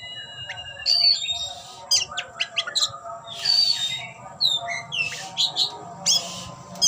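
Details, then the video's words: Oriental magpie-robin singing in full display with its tail spread: varied bursts of sharp whistles, buzzy chatter and slurred high notes in irregular phrases, with a steady faint high electronic tone and low hum behind. "Kicau‘an Burung Kacer Ngeplay buka ekor"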